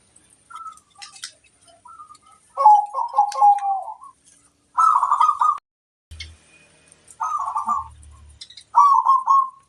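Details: Zebra dove, a local bird singing as a master to make other doves answer: soft scattered notes, then short rolling coo bursts spaced about two seconds apart, with a few low thuds.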